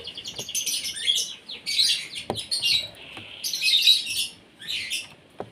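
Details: Asian pied starling fed in the morning so it will sing well; grating chatter phrases with squeaky whistled notes come in bursts about a second long, separated by short pauses and occasional sharp taps.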